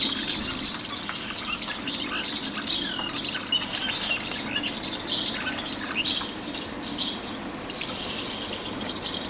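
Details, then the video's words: House martins drawn in by song playback near nest boxes at Fraiture, where the population is being re-established: a dry, twittering chatter of short high chirrups in loose bursts, over a steady hiss. "Hirondelles de fenêtre attirées par la diffusion de chants à proximité des nichoirs!"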